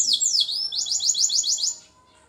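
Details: F1 Lizard canary, a Lizard x local canary cross, warming up in the morning: a short song of sweeping high whistles, then a fast run of repeated high trilled notes ending after about two seconds.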